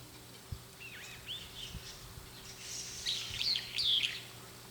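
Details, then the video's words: A Brown-eared Bulbul perched on an antenna calls as if talking to companions, a run of loud, shrill, wavering whistles slurred up and down, growing busier and louder; it flew toward companions' calls. Faint low rumbles beneath. "ヒヨドリの鳴き声～さえずり～Brown-eared Bulbul"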